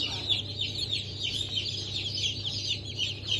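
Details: Newly hatched Cream Legbar, Sultan and Maran Couper chicks, 15 March 2024: steady, fast high cheeping from several birds, each note slurring downward, over a low rumbling hum.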